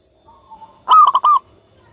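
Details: Single loud cooing phrase from a local zebra dove in vigorous song: a sharp rising first note and then three clipped notes, preceded by a soft low murmur.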